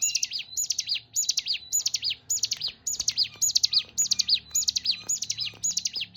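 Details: Hill prinia, called ciblek gunung locally, singing a clear, high-pitched phrase of quick buzzy up-and-down notes, repeated steadily about twice a second, with faint low background hum.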